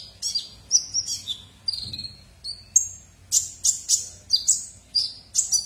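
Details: Sunbird known locally as kolibri ninja, singing actively, used as a tutor for white-rumped shamas and oriental magpie-robins; high, thin whistles and sharp chirps, some sliding downward, in quick bursts separated by short pauses.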